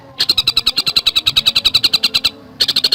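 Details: Javan cuckooshrike delivers a dense burst of rapid, high, sharply repeated notes for about two seconds, pauses briefly, then starts another quick run; fast, tightly packed song style.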